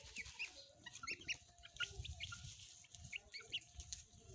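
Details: Pet chicks and hens at play, with short high chirping peeps dotted every few tenths of a second over a steady hiss, and occasional soft low clucks beneath.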